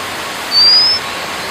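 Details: White-capped redstart (Phoenicurus leucocephalus) gives a single thin, high, slightly rising whistle lasting about half a second, over a steady rushing hiss like nearby water.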